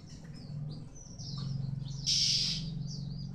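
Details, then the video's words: Male white-eye during the moult season: a series of thin, high twittering notes, then a louder, dense, high-pitched warbled burst near the end, over a steady low hum. "Khuyên trống mùa thay lông"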